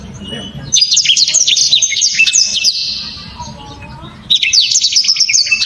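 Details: Loud, sharp song of a black-throated canary, a bird favoured by songbird enthusiasts: a fast cascade of high twittering notes fading into a thin buzzy trill, then a fresh burst of chirps.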